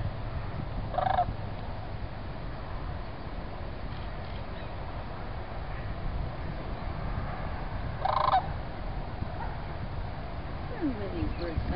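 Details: Sandhill crane at Celery Fields giving two brief rattling, trumpeting calls about seven seconds apart over a constant low background rumble.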